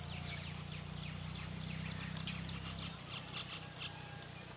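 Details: Brahminy starlings feeding on custard apple in a custard apple tree give quick, high chirps and short squeaky notes, several a second, over a low engine-like rumble that drops away after three seconds.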